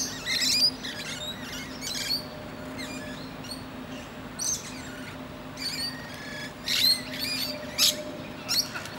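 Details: Resting on a tree branch and chatting with other birds, a musk lorikeet gives clusters of harsh, high, buzzy screeches spaced irregularly across several seconds, over a faint constant drone.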